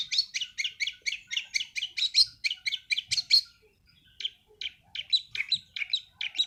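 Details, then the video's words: In 'sembur' style, a young long-tailed shrike still changing feathers pours out a dense stream of scratchy repeated chirps, pauses briefly, then resumes with sparser, spaced notes. "burung cendet sembur"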